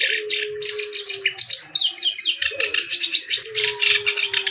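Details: Black-browed reed warbler, locally kerak basi alis hitam, singing constantly: a dense, harsh chattering stream of scratchy, rapid notes mixed with squeaky high whistles, over a steady low hum.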